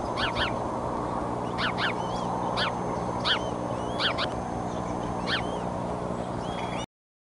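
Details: Eagles at the Decorah nest, 30 March 2015, where the mother's outburst startled both eaglets; spaced high chirps in doubled notes every second or so, with a few soft slurred whistles, over steady low background rumble.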